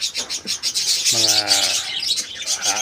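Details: Parakeets in a small kept colony, recorded 14 January 2025: dense, high scratchy chirping and chatter runs throughout, with a lower, tonal voice-like sound briefly in the middle.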